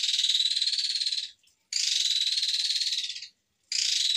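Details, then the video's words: Asian pied starling (jalak suren) in full active song, a masteran tutor recording of long, harsh 'tembakan' bursts: loud raspy, hissing blasts of about 1.3 seconds each, separated by short silences, three bursts in quick succession. "MASTERAN JALAK SUREN GACOR FULL ISIAN TEMBAKAN KASAR PANJANG PANJANG"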